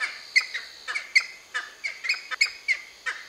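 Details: Cheer pheasants, a group of seven, near Nainital: sharp, harsh clucking calls repeated irregularly about four times a second, each a short broadband burst with a ringing middle tone.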